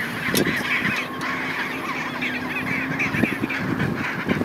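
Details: A colony of gentoo penguins at Neko Harbour, Antarctic Peninsula, Antarctica, keeps up a steady chorus of harsh, honking brays that overlap without pause, over a low, even hum.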